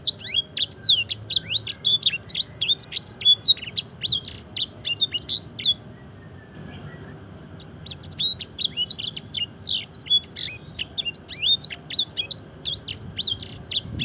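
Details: Fancy canary's tutoring song filled with blackthroat and edel sanger imitations, rapid high chipping and whistled notes in a long burst, a brief silence near the middle, then the torrent resumes.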